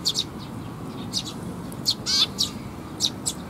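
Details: Young sparrows coming for food at a Tenmangu shrine, 16 May 2021: short, high, scratchy chirps in quick bursts, several overlapping, with one brief thin whistle mid-clip over a low steady background rumble.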